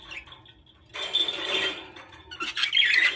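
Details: Newly hatched budgerigar chicks getting their first feed give thin, high, rapid chirping and squeaky begging notes in quick bursts, with soft rustling close by.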